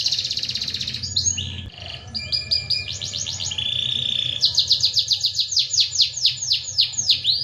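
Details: Canary singing nonstop, moving from a buzzy trill into changing tours of rapid chips, a dry rattle, then fast rhythmic sweeping notes repeated several times a second, all very high and bright.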